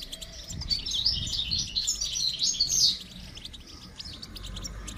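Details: Goldfinch singing during song training: a fast, dense twittering of high chirps and trills that swells and then stops at about three seconds, with quieter chatter after it and a low rumble in the background.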